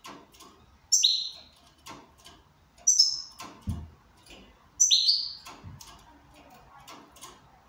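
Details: Goldfinch in good condition singing short, high twittering phrases, one roughly every two seconds, with faint ticking and tapping in between.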